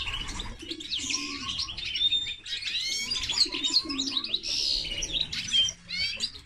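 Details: Song of a linnet crossed with a canary: dense, rapid twittering and looping high warbles, with thin whistled notes scattered through and soft low tones underneath.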